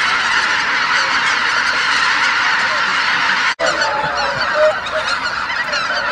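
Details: Large gathering of geese at Shishihana, Izunuma marsh, on an overcast dawn. Continuous massed honking fills the air, with one brief break midway before the chorus resumes, and scattered distinct honks stand out over the clamor.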